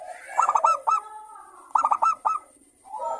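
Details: Lively local zebra dove song in the morning, manggung style: a quick run of four bright staccato coos, a pause, then another matching run, ending with a softer rising coo. A faint high hum runs throughout.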